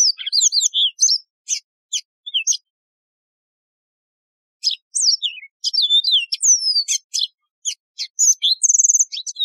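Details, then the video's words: Lively Yellow-fronted canary song with dense clicks, sharp ticks and swooping whistles, two long bursts separated by a two-second pause, ending in a steady high trill; a wild canary with a ringing voice. "شريط تغريد البسبوس الموزمبيقي"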